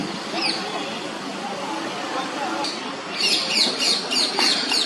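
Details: Common mynas (Acridotheres tristis) feeding their fledglings: harsh, rapid squawking calls in quick bursts, loudest in the final seconds, over a steady murmur of background noise.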